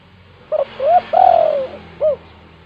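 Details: Spotted dove in lively 'gacor' kuk 2 style, meant to lure doves that are reluctant to call: a short low coo, an arched coo, a long drawn mellow coo and a brief final coo within two seconds, over a faint background hum.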